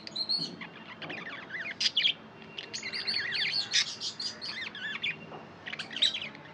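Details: Pet budgies chatter and chirp: fast, scratchy twittering phrases of slurred high notes in rapid succession, broken by brief quiet gaps.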